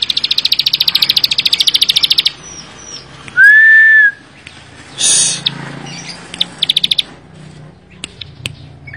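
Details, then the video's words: Bar-winged prinia singing actively in a rapid burst: fast, evenly repeated buzzy high notes, about three or four a second, then a pure level whistle and short noisy bursts, with scattered chips after. "ciblek sawah gacor full bren rapat"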